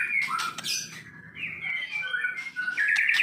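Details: Medan-type white-rumped shama, caged, giving brief softer song phrases: a few whistled slurs and scattered chirps with gaps between them.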